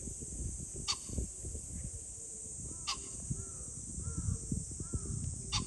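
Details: Pheasant recorded on 21 July 2024: three short, harsh broadband bursts spaced about two seconds apart over steady high insect-like hiss and low rumbling wind noise, with faint curved whistles from another bird between them.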